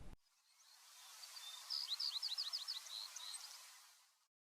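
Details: Vesper Sparrow singing a few minutes before sunrise in big sagebrush shrubland near Silver City, Montana, July 2022: a distant quick series of high, slurred whistled notes running into a brief trill, over a steady open-country hiss.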